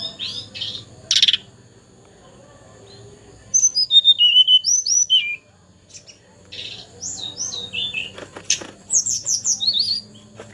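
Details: Juvenile hill blue flycatcher, still in spotted young plumage, already singing freely: a burst of high chirps, then clear whistled notes sliding down and up in quick bursts, with soft background hum.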